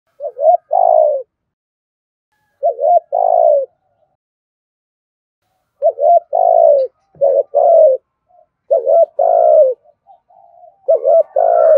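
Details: Spotted dove giving soft, mellow coos in short two- and three-note phrases, repeated after brief pauses and quickening toward the end; the calls are used to stimulate and train decoy doves.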